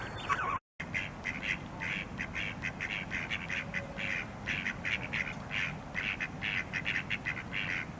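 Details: Khaki Campbell duck calls heard at a distance, a quick run of short, nasal quacks repeated over several seconds against a steady background hiss.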